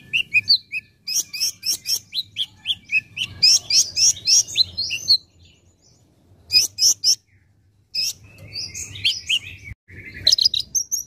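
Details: Caged olive-backed sunbird (konin) singing a masteran song used to train cage birds: fast series of sharp high chips repeated several times per second, buzzy twittering phrases, brief quiet gaps, then renewed chattering bursts.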